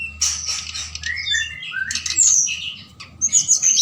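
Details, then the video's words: Forktail heard at night as a lure to make other birds reply; quieter mixed whistles and buzzy slurs with short pauses, over a faint low hum. "Tledekan Gunung Gacor Malam || Suara Pancingan"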